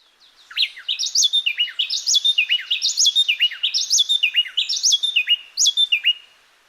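Two wrens trade rapid, bright whistled notes so tightly they sound like one bird. The phrases repeat about once a second, and near the end only one bird carries on.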